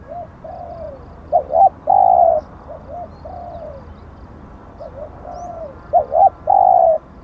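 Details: Captive decoy spotted dove, praised as an auspicious bird, cooing: soft falling notes, a quick doubled coo, then a long flat hoot, the phrase repeating after a quiet pause.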